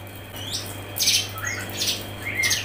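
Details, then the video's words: Grey-cheeked bulbul used as a training recording for songbirds: short, loud, slurred notes, some sweeping down and others rising, repeated about every half second. A low hum runs throughout. "CUCAK JENGGOT MBESET NGEPIK RAPET | masteran cucak jenggot"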